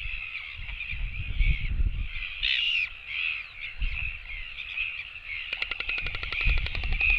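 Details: Several royal albatross chicks begging for food as an adult returns to the nest. A fast, even series of dry clicks about ten per second rises out of a constant wavering high hum, with low wind buffeting throughout.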